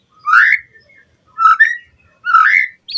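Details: Whistled White-rumped shama phrases from a lure recording for training captive birds: three rich rising slurred whistles, each about half a second long, spaced roughly a second apart.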